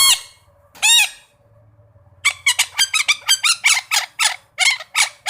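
Red-breasted parakeet giving harsh, grating squawks: two drawn-out screeches, then a rapid burst of about a dozen short, raspy notes.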